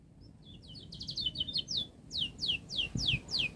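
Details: Canary song used as a model to train young canaries to sing quickly: thin rising-falling whistled notes at first, then a run of loud downslurred notes repeated about three times a second, over low background rumble.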